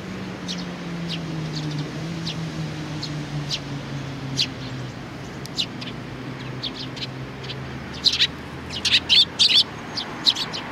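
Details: Sparrows with their chick, 3 July 2019. Sparse thin chirps open over a low droning hum, then a lively burst of rapid, loud chattering chirps near the end.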